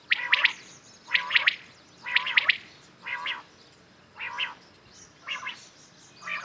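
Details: Common quails calling in the morning: seven phrases about once a second, the first ones mixing buzzy, harmonic nasal notes with sharp clipped pulses, later phrases softer and more nasal.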